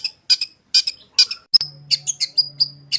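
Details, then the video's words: Long-tailed shrike song with fill-in phrases, used to coax shrikes into singing: harsh grating bursts repeated about twice a second, a sharp click, then a string of quick high whistled notes over a low steady hum. "Burung Cendet Gacor full isian suara paling jernih cocok buat masteran cendet agar cepat bunyi gacor"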